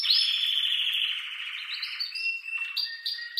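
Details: Male canary singing excitedly to spur breeding: a rapid trill sliding gradually downward, followed by short separate whistled notes at shifting pitches.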